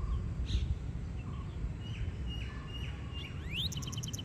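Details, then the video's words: A pied wagtail, described as a large pied wagtail in India, sings and calls with a run of short, high twittering notes and chirps, some with quick upward slurs, over steady low rumbling background noise. "Pied Wagtail Singing and Calling"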